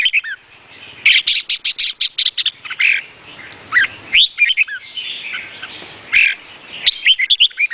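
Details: Vietnamese-type red-whiskered bulbul singing energetically. Dense runs of sharp chirps mix with loud rising whistles and quick slurred notes, repeating in lively phrases across the recording.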